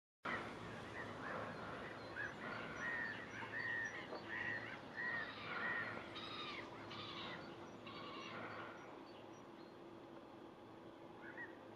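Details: A water rail sunning itself in spring at Schafwaschener Bucht gives a run of about five short, harsh squealing notes, roughly half a second apart, then rougher grunting calls, over a steady outdoor hiss.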